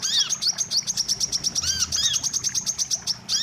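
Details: Wiceh lure for bird trapping: very rapid high chirps pulsing evenly, with two or three louder arching notes and a brief break near the end.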